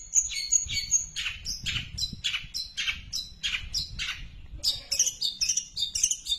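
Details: A long-tailed shrike in an extended tree sparrow imitation gives a rapid string of falling, buzzy chirps, then faster, higher squeaky notes mixed with short whistles near the end.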